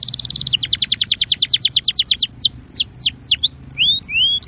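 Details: Belgian canary song used to warm up canaries. Dense high trill slows into a row of repeated downslurred notes, then loud sweeping whistles that drop and rise in pitch.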